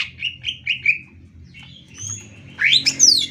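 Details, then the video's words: Greater green leafbird song used as a master recording for training other birds: a short run of slurred whistled notes near the start, a quiet gap, then louder rising sweeping phrases at the end. "masteran cucak ijo paling dicari"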